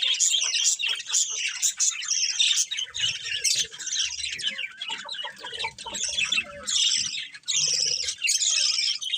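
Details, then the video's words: Colourful budgerigars chattering and squawking, loud rasping squawks mixed with rapid high chirps and warbles in overlapping bursts, plus some soft low background sounds. "Beautiful Colourful Budgies Chirping Sounds"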